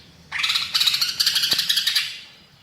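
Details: Greater green leafbird in strong song mixed with mimicry: a fast pulsing buzzy chatter of about a dozen rapid beats, fading at the end.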